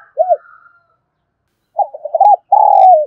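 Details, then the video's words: Spotted dove in 'kích bổi' song: a single short arched coo, a pause, then a stuttering burst of low coos running into a long, steady croo that falls away at the end. "tiếng cu gáy kích bổi"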